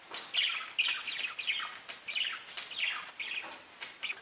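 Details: Parakeets chattering together in rapid scratchy chirps, roughly one and a half bursts per second, each note a short grating warble at fairly even loudness.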